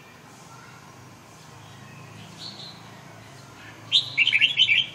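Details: Red-whiskered bulbul singing: after four seconds of quiet background hiss, a sudden bubbly burst of quick, bright, warbled notes runs for about a second.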